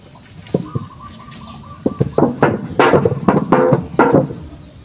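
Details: Female common myna calling: a loose series of harsh, gurgling and chattering notes, with a few sustained tones mixed with rapid clucks, repeated irregularly over a few seconds.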